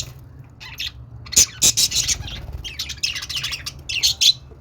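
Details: Budgerigar warble: continuous scratchy high chatter mixed with sharp clicking squawks and chirps, lively and unbroken, over faint low hum.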